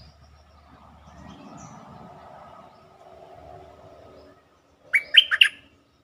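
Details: Bulbul lure song to excite birds: several seconds of low murmuring background noise, then a short, clear phrase of rapid bubbly warbled notes near the end.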